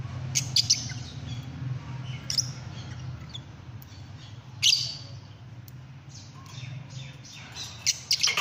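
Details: Fischer's lovebirds giving scattered shrill, high squeaky chirps and short squawks in brief bursts over a steady low hum, with quieter gaps between the calls.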